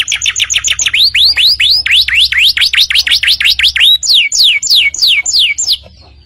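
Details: Canary song as tutor audio for young birds: quick high chips, then about a dozen rising swoops, followed by sharp falling whistles that fade out at the end.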